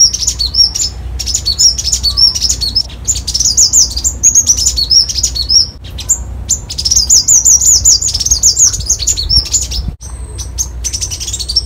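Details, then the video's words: A Copper-throated Sunbird (Leptocoma calcostetha) gives a rapid, high, thin twittering song of jumbled chirps and sweeping notes, near continuous with brief pauses, over a low hum. "Tiếng chim Hút mật Tía ô"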